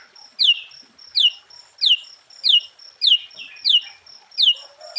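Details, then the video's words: Sooty-headed bulbul in lively 'gacor full isian' song, used to provoke other bulbuls into answering: bright downward-slurred notes repeated about every 0.6 seconds, eight in a row, over a steady thin high tone. "Suara Burung Kutilang Gacor KUTILANG FULL ISIAN Ampuh untuk menaikkan Mental EMOSI Kutilang Lain"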